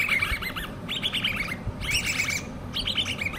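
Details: Hand-reared common babbler chicks give four quick bursts of high, squeaky chirps, several voices overlapping, over a low background rumble.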